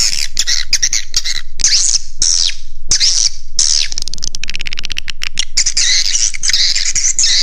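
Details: Swiftlet lure call for roosting, Raja Di Laut style: bursts of high, downward-sweeping chirps alternate with rapid buzzy clicking, then continuous twitter.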